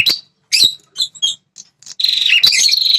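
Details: Red-headed prinia, heard as a provocation call for territorial males: short sharp chips and twitters, then a steady high, buzzy, rattling trill to the end.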